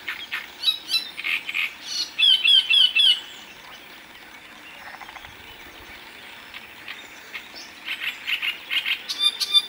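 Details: Great reed warbler singing in Moselle, France: loud, grating bursts of repeated harsh notes and sharp squeaky whistles, pausing for several seconds before another chattering phrase.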